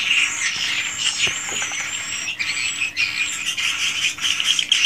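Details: Swiftlets calling inside a swiftlet house, recorded there in the original, unedited form. Dense high chattering with thin whistled streaks and buzzy chirps overlapping continuously, many birds at once, a faint steady low hum underneath.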